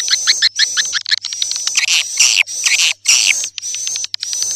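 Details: Sp Bku 7 swiftlet lure: grouped bursts of buzzy chirping and twittering broken by short pauses, a thin high steady whistle persisting across them.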